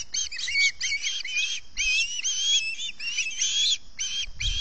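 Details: Hungry osprey begging at dawn on a nest at Salt Point, recorded by nest camera microphone: strings of loud, high, wavering whistled notes, some drawn out and slightly rising, delivered almost without break.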